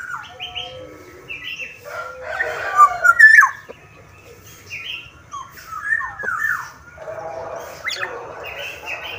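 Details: A Black-naped Oriole from Sumbawa sings a busy run of fluty, slurred whistles mixed with brief harsher notes, in uneven bursts over a low background hum.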